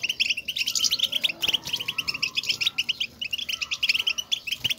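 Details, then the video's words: European goldfinches calling back and forth to show their presence: loud, crowded, sparkling high twitters repeated in rhythmic bursts about every quarter second, nearly continuous throughout. "بتبتة وستستة, لمساعدة الحسون على التغريد"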